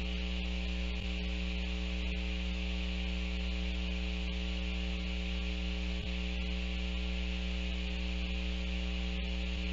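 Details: Constant electrical mains hum and hiss with a few faint clicks, and no animal calling.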